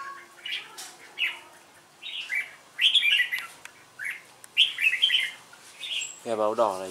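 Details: Competitive song of a red-whiskered bulbul used as a lure bird: bursts of quick warbled chirps in separate phrases, then a short human voice at the very end.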